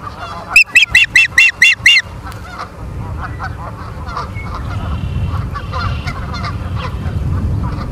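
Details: Osprey at the nest in Charlo, Montana, on a September evening: a rapid series of seven loud, sharp, piercing calls in about one and a half seconds, followed by faint scattered notes under strong wind rumble.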